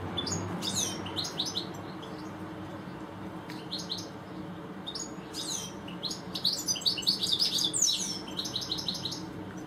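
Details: European goldfinches, two of them in a garden, give scattered sharp twitters that build into a dense, fast, tinkling and buzzy song passage toward the end.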